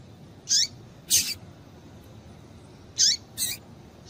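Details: Female double-collared seedeater calling to stimulate males: two pairs of high, sharp chips, each pair a downward-slurred note followed by a harsher one, about two seconds between pairs, faint hiss underneath.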